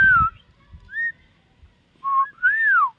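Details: Shalik, the common myna, a talking bird, whistling four pure notes, some rising and some arched then dropping, in a quiet setting with soft low knocks at the start.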